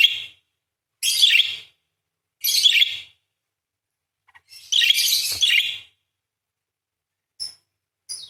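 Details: Buzzy, scratchy song bursts from a parakeet, sung as long 'nembak' phrases for tutoring songbirds. Several short raspy notes lead into a longer harsh warble, followed by two faint high chips.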